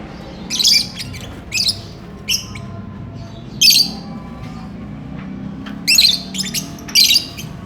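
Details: Courting lovebird wanting to mate, kept as a cage bird, producing harsh high squawks and chirps in irregular bursts, some doubled, over faint low background noise.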